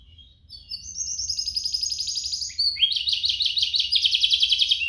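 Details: Two canaries singing, used to make canaries sing and to coach juveniles: a quiet start, then a long high buzzing trill, a brief break and a second even faster rolling trill at a steady rapid pulse.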